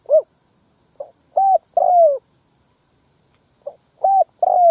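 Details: Spotted dove lure call used to draw in wild males and females: two coo phrases, each a soft short note, a clear coo, a long rough falling coo and a final ringing note, separated by a pause, over a silent background.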